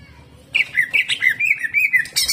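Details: Greater green leafbird singing 'jamtrok' with coarse 'tembakan' shots, meant to rouse other leafbirds: a warbling string of wavering whistled notes, repeated and slightly descending, ending in a bright high burst.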